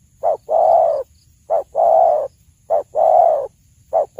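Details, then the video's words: Spotted dove, a lure recording for hunting, giving steady repeated pairs: a short clipped coo then a drawn-out hoarse coo, cycling about every 1.3 seconds, with faint low background hum. "suara burung tekukur terbagus"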